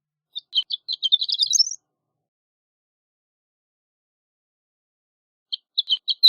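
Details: Horned lark song: spaced chips accelerating into a rapid tinkling jumble that lifts to a higher flourish, followed by about four seconds of quiet and another set of high chips starting.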